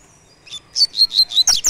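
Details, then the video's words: Double-collared seedeater giving the "tui tui" three-note song type: a brief run of high, clear chirped notes that quickly grows louder, with a few rapid, sharper notes at the end. "tui tui 3 nota"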